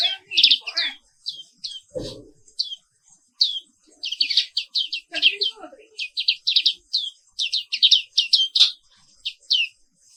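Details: Black-capped white-eye (Zosterops atricapilla), an Indonesian endemic, singing in the morning: rapid high chirps and descending twittered notes in dense bursts, with a brief low thud near two seconds and faint lower sounds.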